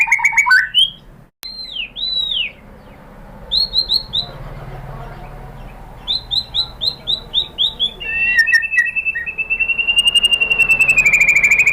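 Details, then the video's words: White-rumped shama song meant to provoke other shamas to sing: rich whistled phrases, repeated looping upslurred notes in series, then a sustained whistle over a fast trilled rattle. "memancing EMOSI MURAI BATU biar ikut GACOR BONGKAR MATERI ISIAN ¦ PANCINGAN MURAI ¦ SHAMA BIRD"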